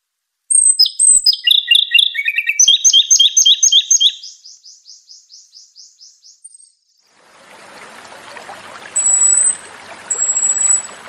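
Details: Japanese robin song: two thin high whistles open, then chattering notes stepping downward, followed by a fast even trill of about a dozen repeated notes that fades away; afterwards a broad rushing hiss with two more high whistles.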